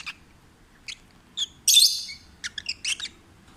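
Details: Happy, relaxed peach-faced lovebird kept as a rescued pet, singing: sparse thin chirps build to a loud buzzy squawk, followed by a quick cluster of sharp high ticking chirps.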